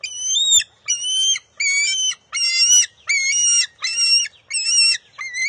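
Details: Bald eagle eaglet contesting a fish with its mother at the nest, June 23, 2021: eight loud, harmonic, whining cries in steady succession, each under a second, with a couple of sharp knocks.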